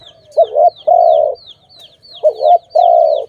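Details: Cooing dove in a trapping setting: two phrases, each a quavering short note then a long even hoot, over a steady backdrop of high, falling chirps from other birds.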